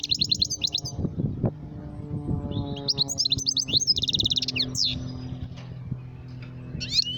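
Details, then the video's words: Calling goldfinch: bursts of rapid high tinkling notes separated by short gaps, one dense buzzy trill in the middle, and scattered chips near the end, all over soft rumbling and a low hum. "Switty Goldfinch calling"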